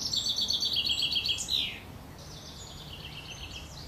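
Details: Eurasian wren young being fed by their mother in a nest at Worthington Lake near Standish, Wigan: an intense, fast, high-pitched pulsed squealing for nearly two seconds that breaks off, followed by softer, thin repeated chirping.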